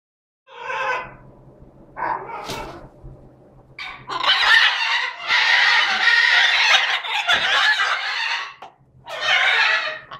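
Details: A breeding pair of green-winged macaws, both about 12 years old, with 3 eggs laid this summer: harsh, raucous squawks in short bursts, then long loud overlapping screeching, with a final burst near the end.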